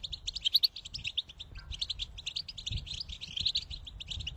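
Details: European goldfinch song meant to motivate another goldfinch to sing, best played softly from a distance; rapid tinkling twitter of high, buzzy chirps and trills running continuously, with a few sharper bright notes near the start.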